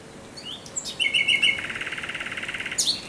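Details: Thrush nightingale at night on 17 May 2023: brief whistles, then a rapid, even trill of repeated notes that steps down in pitch and lasts almost two seconds, closed by a sharp high phrase.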